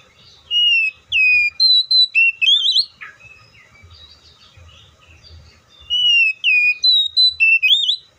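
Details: Oriental magpie-robin song: a strong phrase of falling and rising whistles ending in a fast upward warble, several seconds of faint quiet notes, then the phrase repeated.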